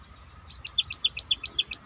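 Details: Maestro bird giving a quick run of high, sharply bouncing chirps, each note dipping and rising, repeated rapidly in close succession.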